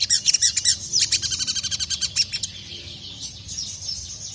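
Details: Ruby-cheeked sunbird, known as sogon, calling a male while agitated. A rapid run of high chips that fades, followed by softer, thin twittering.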